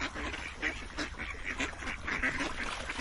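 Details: Ducks quacking in a steady, overlapping chatter of short nasal calls, several birds calling at once with no pause across three seconds.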